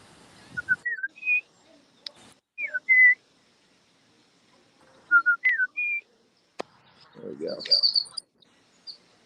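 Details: Wood Thrush on an April 21 morning sings two short flutey phrases of clear, jumping whistles a few seconds apart, with a person's voice and a few sharp clicks also heard.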